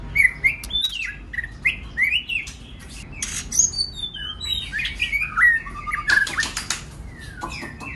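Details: White-rumped shama singing as a lure to excite other shamas into song: rapid varied whistles, upslurred and downslurred notes mixed with harsh clicks and chattering bursts, loud and continuous throughout.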